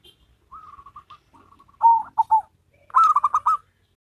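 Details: Zebra doves in a local-versus-crossbred duet: a soft string of short coos builds into a loud bubbling phrase of quick descending notes, followed by another bright, rapid trilled burst.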